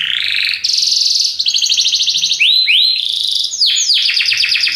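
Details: Belgian canary singing a powerful song: rapid trilled phrases switching between buzzy rolls and sweeping whistled notes, loud and continuous, with a faint low hum underneath.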